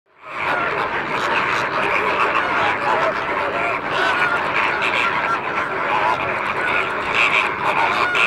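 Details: A dense, continuous gabble of many wild flamingos of Italian, Spanish and Camargue origin at the Sigean African reserve, France, with nasal, goose-like honks overlapping without pause into a steady, murmuring chorus.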